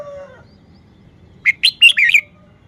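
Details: After a faint low tone at the start, a red-whiskered bulbul sings a single rapid phrase of four or five bright, chirpy whistles that ends in a warbled flourish. The bird is showing off its song style.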